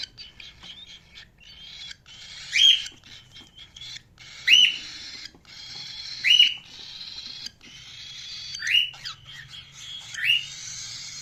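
A cockatiel gives loud, rising whistled chirps about every two seconds over soft, steady chatter.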